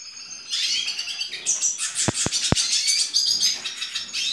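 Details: A hooded siskin hatched in April 2019 sings in its 2019 season: a fast, unbroken high twitter mixed with buzzy trills and squeaky notes, with three sharp clicks in the middle.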